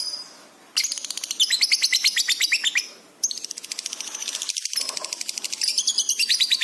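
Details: Lovebird singing eagerly in a masteran for training pet birds: two long runs of rapid, high, buzzy chattering notes, about three per second, separated by a brief pause.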